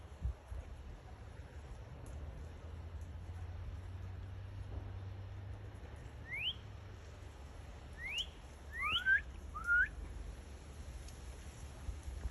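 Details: Northern cardinal song heard faintly through a steady low engine-like hum: a few scattered rising whistles, then a closer pair of paired slurred notes near the end.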